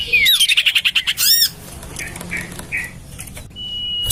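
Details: Common iora lure call used to attract birds, tried out in a garden next to a home: a rapid burst of harsh repeated chatter, a few short soft notes, then a thin sustained whistle at the end.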